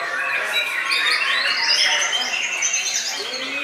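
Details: White-rumped shama singing while performing deep bowing display, a dense stream of bright, varied whistles and chirps with quick rising and falling notes, continuous with little pause.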